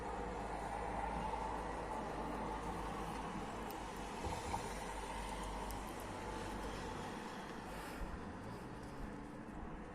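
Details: Steady low rumble of a passing train or road traffic fills the recording, with broad hiss and no distinct animal calls.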